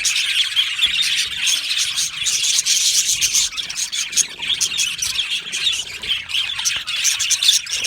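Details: Many budgerigars in an aviary chatter nonstop, a mix of thin tweets, buzzy warbles and quick clicks layered into a constant bright murmur.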